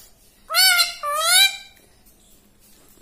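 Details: Pet parrot said to talk like a human, giving two loud, harsh, richly harmonic syllables in quick succession, each with a slight rise and fall, followed by quiet.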